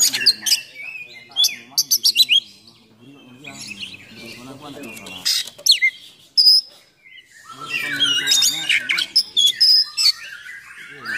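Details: Kacer, the oriental magpie-robin, singing a coarse, fiery song used to stir up and tutor other birds; sharp staccato bursts early, then rising whistles and dense scratchy chatter after a brief pause.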